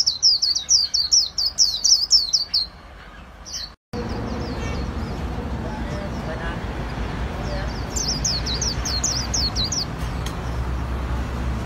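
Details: Vietnamese bird artisans' white-eye singing in the líu style: a lively sequence of high chattering notes, then a break into steady noise and faint voices before another short run of shrill chirps returns.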